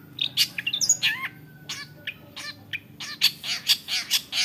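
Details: A long-tailed shrike, a clever mimic of other birds' voices, delivers a short burst of mixed squawks, high whistles and harsh rasping notes, ending in a run of loud, emphatic chips.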